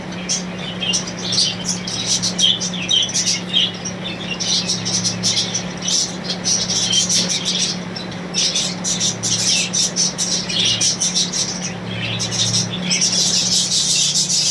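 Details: A budgerigar breeding colony, with pairs ready to breed, keeps up a dense, overlapping chatter of high chirps, squeaks and warbles over a low hum.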